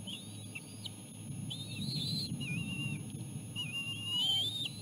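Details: Bald eagle chicks at the nest on a lean day, their mother arriving with seal placenta for lunch: high thin whistled calls that rise and fall in short strained phrases, sounded in separate bursts over a steady low rumble.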